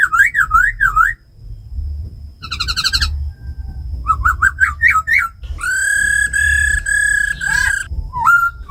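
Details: Caged laughingthrush, tamed, singing forest-voice style alongside a female's rattles, played to excite birds: wavering looping whistles, a burst of rapid harsh notes, quick rising whistles, then long full-toned sustained whistles.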